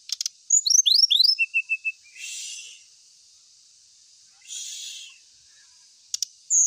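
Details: Lure recording of an ashy tailorbird: quick, high, upslurred chirps tumble into a short run of even whistled notes, then two bursts of hissing noise and a few clicks.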